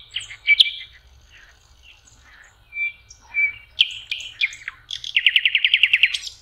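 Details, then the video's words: Common nightingale singing by a lake shore in spring, in May: varied phrases of high whistles and clicks, ending in a fast run of about a dozen rich repeated notes. "Соловьи. Волшебное пение в мае. Nightingale singing"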